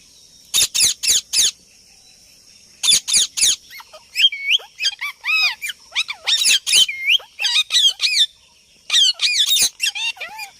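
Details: Parrot making sounds: bursts of four rapid harsh squawks, then a run of looping, warbled whistles and chatter with more squawk bursts between them. A steady high hum sits behind the calls.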